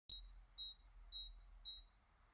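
Great Tit giving a clear, high two-note call, a brief upslurred note then a level whistle, repeated about every half second over faint background hum.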